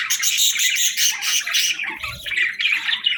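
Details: Budgerigars in morning chatter: a dense, continuous warble of scratchy chirps and squawks overlapping throughout, with a brief low thump near the middle.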